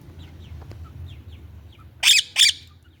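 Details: Ringneck parakeet giving two loud, harsh, grating screeches about half a second apart after a quiet stretch with faint distant chirps and low hum.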